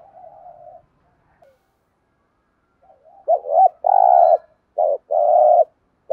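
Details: Spotted dove 'thúc gù' cooing: a soft murmured coo, silence, then a run of deep hollow coos, short ones alternating with longer vibrating notes.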